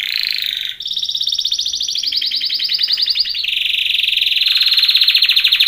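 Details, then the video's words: Belgian canary training song: loud, continuous high trills of rapid repeated notes, the first phrase giving way after a short break to a brighter, faster-pulsed roll, then a lower steady trill to the end. "BEST canary singing / CANTO CANARIO CANTANDO FOR TRAINING / CANARY TRAINING SONG"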